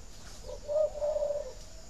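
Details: Spotted dove coo meant to stimulate laying: faint lead-in, then a clipped coo followed by a long level coo, low and hollow-toned, with quiet steady hiss behind.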